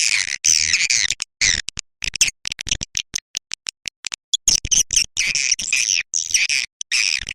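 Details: Swiftlet lure call played to attract swiftlets: dense bursts of high, buzzy chirps and twitters, rapid and irregular, with brief gaps between bursts.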